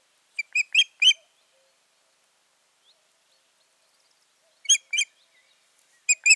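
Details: Ospreys at their nest in mid-June 2019, after the breeding attempt had failed. Somewhat fainter whistled chirps come in brief clusters of three, then two, then two, with quiet gaps between them.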